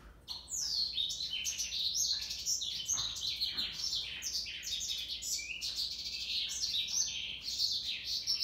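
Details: Male African yellow canary delivering a long, fast stream of high chirps, trills and down-slurred whistles, rich and varied, running without pause for about eight seconds.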